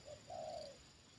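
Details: Spotted dove, a trained decoy bird reacting as a wild bird is lured down a second time, gives a short coo: a brief low note, then a longer, even, hollow coo, with faint room hum behind.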